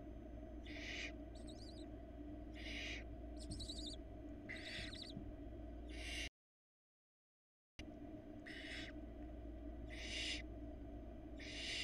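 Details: Four hungry barn owl chicks in a Florida nest box on camera, begging as their mother brings a rabbit: harsh, hissing screeches, each about half a second long, repeated in quick irregular succession over a steady low hum, with a brief silent gap.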